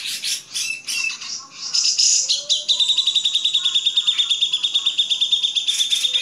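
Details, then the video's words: A Grey-cheeked bulbul gives mixed high chirps and squeaky phrases, then a fast, steady chattering trill of about eight notes a second. "Masteran Cucak Jenggot"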